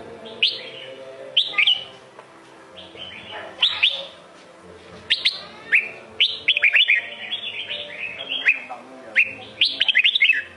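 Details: Singing red-whiskered bulbul of the Sông Kôn style: repeated phrases of rich whistles, each opening with a sharp upslur and running into warbled notes, separated by short gaps, over low hum.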